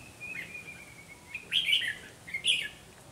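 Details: Decoy red-whiskered bulbul during trapping with tough rivals: a thin drawn-out whistle, then two bright, bubbly warbled phrases close together, each rich and slightly buzzy.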